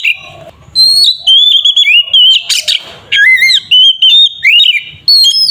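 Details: Oriental magpie-robin (kacer) in ngeplong song meant to provoke a rival into singing, a run of looping whistled notes and upward slides with a brief harsh buzz partway through.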